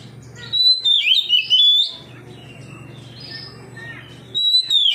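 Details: Oriental magpie-robin answering another magpie-robin with open, loud song; a tumbling whistled phrase of rapid slurred notes, a long pause with soft hum, then a fresh whistled phrase begins.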